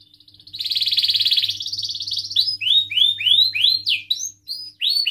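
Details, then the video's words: Canary singing as a lure to prompt other canaries to sing: a long buzzy trill around the middle, then rapid repeated downward-sweeping whistled notes, about three to four per second. "kenari gacor panjang Cuit Cuit EMOSI, Pancingan Kenari Paud Belajar Bunyi"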